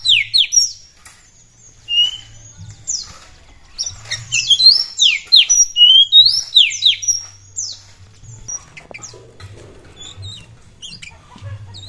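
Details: Oriental magpie-robin song, used to provoke other birds into singing: varied high whistles, rising and falling sweeps and short chirps in quick bursts, pausing around the middle and near the end, over a steady low hum.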